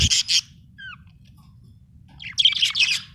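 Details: Budgerigar, said to be happy, opening with two quick bright chirps, then a soft whistled rising note and a pause, before a burst of fast, scratchy chattering.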